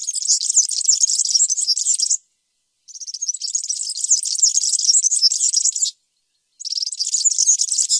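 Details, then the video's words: Song of a European serin. Three extended phrases of shrill, tinkling, fast-chattering notes, each running two to three seconds, separated by brief silent gaps. Nothing else can be heard. "تغريد طائر السمريس/ البسبوس (الزخنين) chant du serin cini, el verdecillo"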